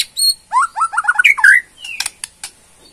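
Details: Rattling ketrekan call of a Borneo white-rumped shama, revealing its song fillers: a high whistle opens a run of rapid rising-falling warbled notes, then a few dry clicks and a sliding whistle.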